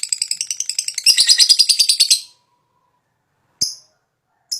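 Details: Fighter lovebird, high breeding condition, ngekek lure song: about two seconds of rapid high chattering trill that swells louder midway, followed by silence and two brief sharp chips.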